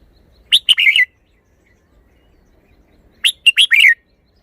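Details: Red-whiskered bulbul showing off its song phrasing: two bright, whistled phrases of four to five quick notes about three seconds apart, each ending in a slurred, warbling flourish, over near silence.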